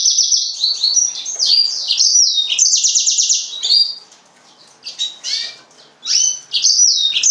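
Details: Serinus mozambicus singing continuous high rapid trills and chirping phrases for four seconds, then quieter scattered notes and a final chirpy burst.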